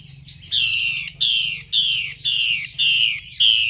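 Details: Female Chinese hwamei uttering a call meant to excite males into song: loud, harsh descending rasps, six in a row, each about half a second long with brief gaps.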